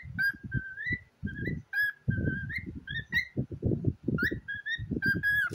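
A cockatiel chatters in short, level whistles that tilt upward at the end, several each second, over steady low thumping and rustling close by.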